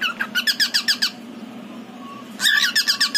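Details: Indoor pet pied male cockatiel calls its partner with a steady string of rapid, evenly spaced shrill chirps, a brief faint whistle, then another fast chirp series.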